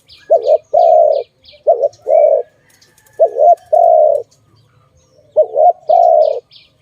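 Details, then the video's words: Dove from a bird-trapping recording cooing four times: each phrase is a brief doubled note and then a sustained mellow coo. A small bird's rapid high chirps are heard at the start and end. "Sound of good dove"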